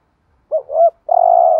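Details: Spotted dove kept as a decoy to call in other doves: a two-part rising coo immediately followed by a long steady purring note, close and clear.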